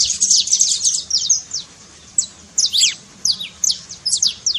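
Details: Saffron finch trilling song played to rouse a silent canary to sing, a dense high buzzy burst followed by separate sharp descending chips spaced in short clusters.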